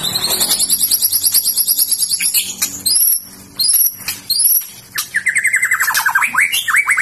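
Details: White-rumped shama described as having a fighter's mentality and being ready for contest, singing a rich varied song: high rapid notes, then repeated sweeping upward whistles, ending in a descending series of slurred phrases.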